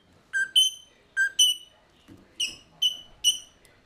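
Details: Restless caged mulga parrots, recorded on 18 November 2014 with a GoPro Hero 3+ set inside the cage; a lively series of bright whistles, two-note pairs giving way to single clear notes in quick succession.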